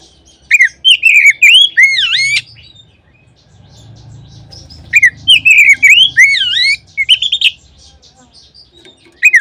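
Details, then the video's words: Oriental magpie-robin lure song, used so any kacer starts singing at once: two loud phrases of ringing whistles and swooping slurs, roughly five seconds apart, with a quiet low rumble between. "Kacer manapun seketika terangsang berbunyi dengan pancingan ini."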